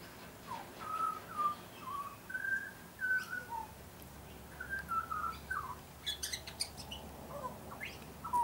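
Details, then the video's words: Tame young butcherbird on a garden visit gives a run of short, clear whistled notes, level or gently falling, with faint high ticks from another source in the latter half. "Young Butcher Bird is singing a song"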